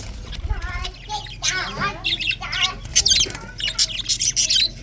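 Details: Budgerigars chirping on a February 24, 2024 morning: busy chatter of bright high chirps and squawks mixed with lower warbled, wavering notes, several bursts overlapping in quick succession.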